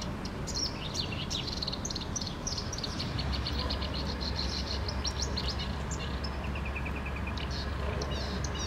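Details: Unidentified bird singing in Helsinki, Finland: quick series of high, sharp chirps and short buzzy notes repeated through most of the recording, ending in a fast even trill of thin ticking notes, over steady low background rumble.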